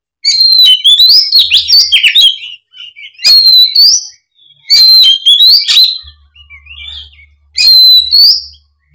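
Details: Fighting-mode Oriental magpie-robin belting out its mimicked fill-in song to lure quiet magpie-robins into singing. Four strong bursts of high twittering whistles and sharp ticks about every two seconds, with a faint low hum between.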